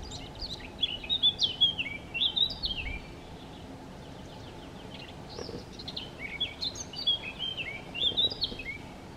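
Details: Singing Eurasian blackcap, Chełm, Poland, 17 May 2022, between bouts of feeding: two warbled phrases of quick sliding whistles, one early and one near the end, separated by a quiet gap with low background noise.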